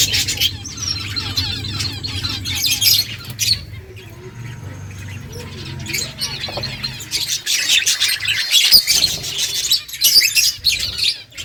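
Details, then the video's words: Several finches feeding and chirping, with dense bursts of high, twittering chirps at the start and again near the end, a quieter stretch in the middle, and a constant low background hum. "Beautiful finches eating food birds chirping sounds"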